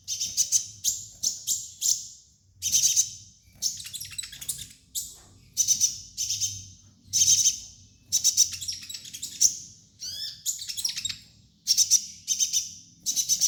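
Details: Long sunbird master song for training young birds: dense, rapid volleys of shrill, tinkling high chirps in stuttering bursts, one falling slurred phrase near the end, almost no pauses.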